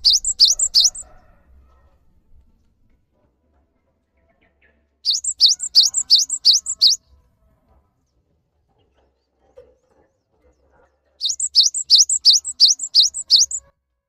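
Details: Cinereous tit in full 'gacor' song, a lure recording meant to set silent, stressed or newly caught tits singing: three bursts of rapid, sharp, dipping two-part notes, about six per burst, separated by pauses of several seconds.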